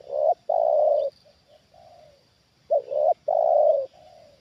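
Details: Tame decoy spotted dove responding to a wild bird that has landed again: deep, rounded coo phrases, a short doubled note then a sustained hollow coo, twice within four seconds, with quiet murmured notes between phrases.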